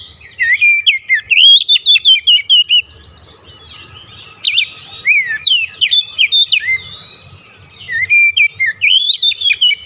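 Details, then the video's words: Caged white-rumped shama singing as a lure for a silent bird: long runs of loud, varied whistles and sharp chips, repeated quickly, with a brief quieter pause mid-way. "KICAUAN PEMIKAT DAN PERANGSANG BUNYI | Kacer stres macet bunyi langsung gacor"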